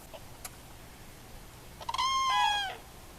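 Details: One loud, ringing, trumpet-like note from a Common Crane wintering in the Val de Loire, central France, held almost a second and sliding slightly downward, after a few faint clicks in an otherwise quiet background.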